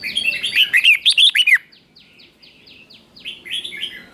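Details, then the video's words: Decoy red-whiskered bulbul singing to attract wild birds: a vigorous chain of about eight ringing, bouncy whistles, then a soft series of quick downslurred chirps repeated evenly in the background. "Chào mào mồi gọi bổi không tạp âm, tiếng chào mào mồi gọi là đến"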